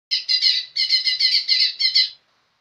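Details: Young green leafbird singing gacor-style, a dense burst of about eight rapid, bright chirping notes over roughly two seconds, each note layered and buzzy-sharp, then silence.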